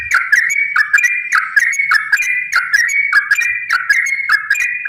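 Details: Long rapid Yellow-vented bulbul song played to stir other bulbuls to sing; rich whistled phrases with repeated downward slurs, delivered in an unbroken, evenly paced series.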